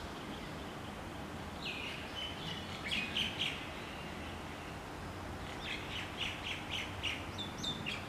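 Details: Wild chicken in Hawaii, a mother hen uncovering her chicks: two runs of high, thin peeps, short descending chirps repeated in quick bursts, over a steady low outdoor hum.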